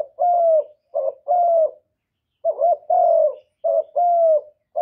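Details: Repeated luring coos from a spotted dove, used to stimulate other doves into calling: paired phrases, each a brief broken note then a drawn-out level coo, with a short pause between groups and no background noise.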